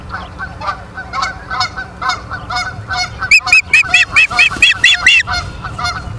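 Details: Osprey on a live-cam nest in Charlo, Montana, 30 August 2023, 23:23: softer lower calls from other birds, then a loud burst of about eight shrill whistled chirps in rapid succession.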